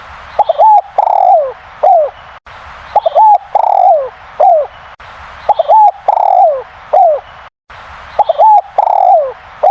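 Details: Very loud manggung cooing of a spotted dove: repeated phrases, each a quick upward double note, a drawn-out warm coo and a descending tail, roughly every two seconds, with hissing noise behind.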